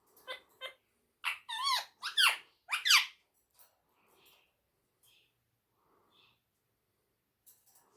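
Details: Rose-ringed parakeet kept at home, talking in Urdu and Hindi, gives quick chattering syllables and then a loud run of wavering, warbling speech-like phrases, followed by faint soft sounds in a small room.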